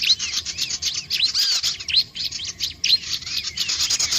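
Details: Bar-winged prinia calls, said to draw in other curious birds: quick high chirps and short arched notes in a busy stream, over a steady high hiss.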